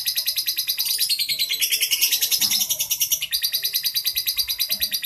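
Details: Ngekek from a prize-winning lovebird: dense rattling chatter at about three notes a second, high and harsh, running without pause from start to finish.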